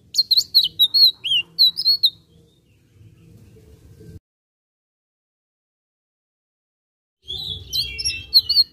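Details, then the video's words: Blue-eared kingfisher singing with energy: bursts of piercing high chirps and slurred whistles for two seconds, a quiet stretch with low hum, near silence, then another shrill twittering burst. "tledekan biru gacor"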